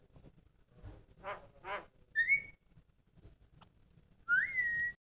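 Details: Singing Javan myna giving two rough rasping bursts, a short upslurred whistle, scattered soft clicks, then a loud rising whistle that levels off and is held for half a second.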